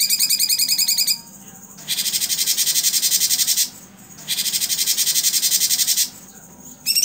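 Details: Blue-winged Leafbird (cucak cungkok) singing 'tembakan' for songbird tutoring: a quick warbled trill, then two long dense buzzy rattles of about two seconds each, split by short quiet gaps.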